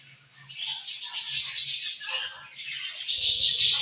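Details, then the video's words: A group of colorful budgerigars chirping continuously, a bright, busy wash of high scratchy warbles that swells again after a short dip. "Colorful Charming Budgies Chirping Sounds"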